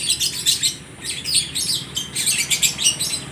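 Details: Lovebirds at a bird market in Aceh Tamiang calling back and forth, giving dense bursts of shrill, scratchy chirping in rapid overlapping volleys.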